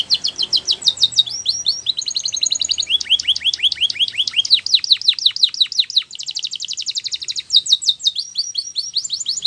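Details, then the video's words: Canary song meant for training young canaries. Nearly ten seconds of continuous song: fast trills and rolls of repeated high chirps, each tour shifting to a new syllable type, delivered loudly and without pause. "Canary Sounds !! Reliable Canary Training"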